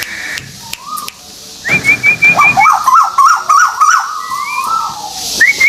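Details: White-billed tuwu bird from Malaysia, played as a lure to attract other birds: clear whistled notes, a quick run of high rippling trills followed by lower wavering slurred whistles, ending with a rising high note.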